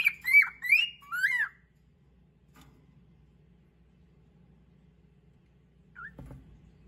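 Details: A pet male cockatiel gives a quick "song attack" burst of whistled, warbling notes rising and falling for about a second and a half at another cockatiel, then quiet apart from a faint chirp and low room hum.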